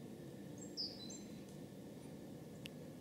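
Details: A great spotted woodpecker gives one sharp, high, clipped note, with a few faint squeaks after it over a steady low rumble and nearby voices.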